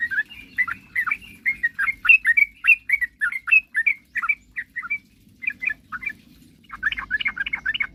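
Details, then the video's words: Quick bubbling song of a sooty-headed bulbul used to draw rival birds into song: a fast, steady run of short whistled notes, a pause, then a dense closing burst, with faint hum behind. "suara kicauan trucukan gacor..paling jago memancing lawan agar cepat bunyi"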